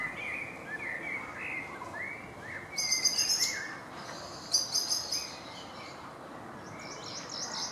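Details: A young great spotted woodpecker begging on 18 June 2017: two bursts of shrill, rapid chattering notes, with softer chirps from other birds and a steady background hiss.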